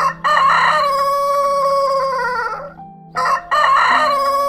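A rooster gives a loud, harmonic cock-a-doodle-doo crow lasting over two seconds, ending in a drawn-out note, then starts another crow; a low steady hum sits underneath.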